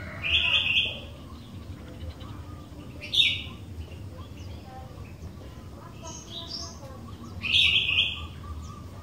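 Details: Sooty-headed bulbul, a vocal bird whose song is used to draw other bulbuls into singing: short clear whistled phrases at the start, middle and end, with faint chirping between.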